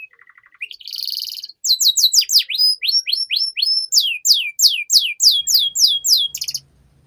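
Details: Domestic canary master song used to train young canaries to sing fast: a short low buzz, then a long run of rapid high rising-and-falling whistled sweeps repeated about three per second, ending in a dry trill.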